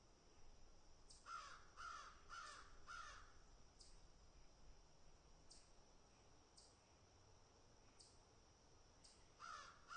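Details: Four rasping caws in quick succession come from crows while they pick at and eat food, followed by a quiet gap with faint clicks, then two more caws at the end.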